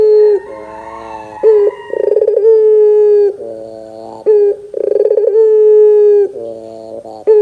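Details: Vocal Barbary dove recorded as a lure for young birds: soft low murmuring phrases alternate with loud rolling trills that flow into drawn-out level coos, about three cycles.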